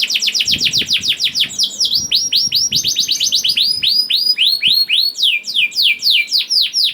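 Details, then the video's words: Young canary (kenari paud) song meant to trigger other canaries to sing: steady series of high, downward-sweeping chirps repeated about four per second, shifting to slower, lower arched notes. "PANCINGAN KENARI PAUD TERBUKTI AMPUH MEMANCING KENARI SUSAH BUNYI IKUT GACOR"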